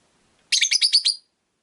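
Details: Caged rosy-faced lovebird, one of five kept by a window, giving a single rapid run of about six raspy high chirps lasting under a second.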